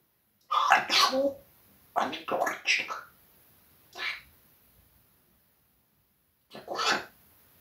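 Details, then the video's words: Parrot scolding a cat in Russian at home; bursts of gravelly, speech-like syllables in groups of two to three, a single short sound, a long pause, then one more harsh word. "Попугай матерится на кота"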